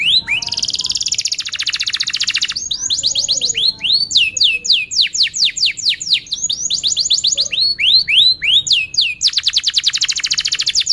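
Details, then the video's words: Canary lure song for training young canaries: long buzzy trills alternating with series of rising and falling whistled sweeps, ending in another rapid trill. "kenari gacor panjang Cuit Cuit EMOSI, Pancingan Kenari Paud Belajar Bunyi"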